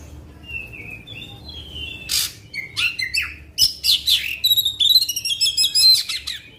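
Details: Kacer, the Oriental magpie-robin, singing a provoking song for other magpie-robins: soft whistles build into loud harsh bursts, then rapid ringing trills and chattering notes about once a second.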